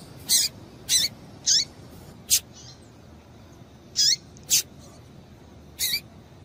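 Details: Calling female double-collared seedeater, used to stir males to sing: rapid series of high, bright chip notes with down-slurred tails, roughly two per second in bursts, then a pause before more, with quiet hiss behind.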